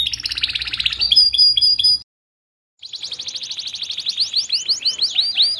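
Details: Training song for pet canaries: a rich rolling trill with a few high clear notes, a brief silence, then a new fast series of rising chirps that speeds into looping whistled phrases.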